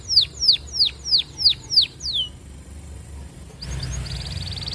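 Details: Canary song meant to court a female and prompt other canaries to sing: seven loud downward-swooping whistles in quick succession, a pause, then a faint high trill returning.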